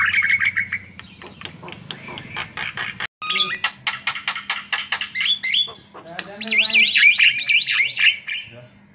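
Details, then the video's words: White-vented myna in gacor lure song: harsh, clicking chatter and a steady whistle, a brief cut-out, more rapid rasping notes, then wavering, rising and falling whistled phrases before tapering off. "Suara Gacor Jalak Kebo Untuk Pancingan"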